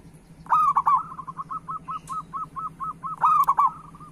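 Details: Local-type zebra dove singing eagerly, used as a lure and tutor for other doves: a rolling coo phrase followed by a rhythmic series of about ten soft cooing notes, then another phrase, low hum behind.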